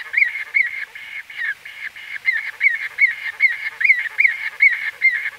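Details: White-fronted bee-eater recorded close up, date unknown, uttering quick chirping notes in a fast run of about two and a half per second, slightly uneven in spacing, with a second voice seemingly overlapping; no other sounds.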